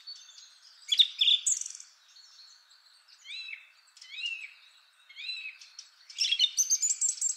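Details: First of three male Song Thrushes singing richly: mixed phrases, then a rising slurred note repeated three times with gaps, ending in a fast, high twittering run.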